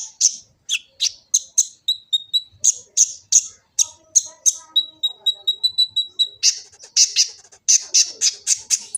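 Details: Varied song of a kolibri ninja sunbird from Gresik, East Java, phone-recorded as a master for training birds: high sharp chips, a level thin whistled trill held for about two seconds, then a dense burst of twittering.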